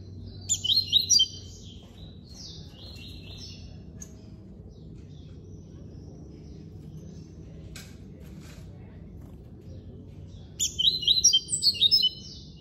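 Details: Classic song from a captive coleiro preto (double-collared seedeater) at an amateur breeder's aviary: two bursts of rapid, high, warbling whistles about ten seconds apart, with faint clicks and knocks and low hum in between.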